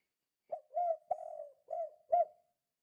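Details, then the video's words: Quieter recording of a spotted dove in 'kuk 2' style calling, used as a lure for other doves: five low coos, a short opener, a swelling note, a long wavering one, then two rising-and-falling coos. "Suara Burung Tekukur Gacor Kuk 2 Sangat Ampuh Untuk Pancingan"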